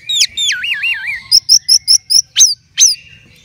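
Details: Caged orange-headed thrush in contest form, opening with wavering looping whistles that dip and rise three times, then a steady series of six or so short bright chirps and two sharp downslurred notes.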